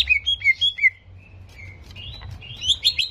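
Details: Short bursts of greater green leafbird song, played to provoke aggression: four quick, downslurred whistles in under a second, a quiet gap with faint notes, then a cluster of high, chattering notes.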